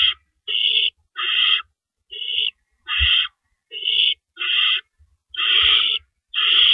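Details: Owls at a nest at night, around 4:30 AM on April 4, 2012, while adults bring in and carry off rabbits. Harsh, raspy hissing bursts, each about half a second, repeat irregularly more than once a second with short silent gaps.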